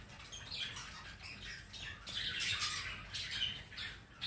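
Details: Pet rainbow lorikeet enjoying a Sunday afternoon; continuous rasping, buzzy squawking chatter, fairly even in loudness, ending in a sharper screech.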